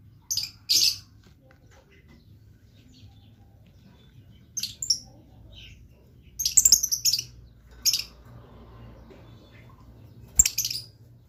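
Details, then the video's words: Blue lovebird in full chattering voice, giving short, harsh, high chirps in scattered bursts separated by long pauses, with a cluster of several quick notes midway. Faint low hum in the background. "LOVE BIRD GACOR"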